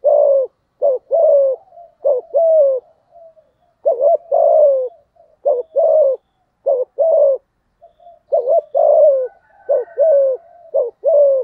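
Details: Spotted dove cooing in the Vietnamese "giọng thổ" style to provoke a rival male: a long run of rhythmic phrases, each a brief hoot then a falling drawn coo, about fifty notes a minute, steady and undisturbed.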